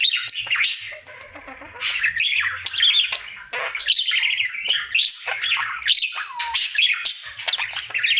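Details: Happy male budgie singing his daily routine indoors: varied warble of grating squawks, thin whistles and fast clicking notes, flowing continuously for eight seconds.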